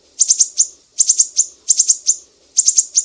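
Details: Sharp 'besetan' song of a mangrove whistler from Sumatra, used to train songbirds: tight bursts of three or four piercing high notes, each burst ending in a longer note, repeated roughly every 0.8 seconds.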